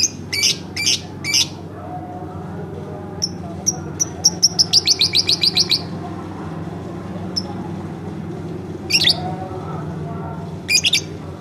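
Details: Home lovebird chattering: a few harsh shrill chirps, then thin high notes running into a quick burst of rapid sharp chirps, followed by scattered squawky calls against a constant low hum.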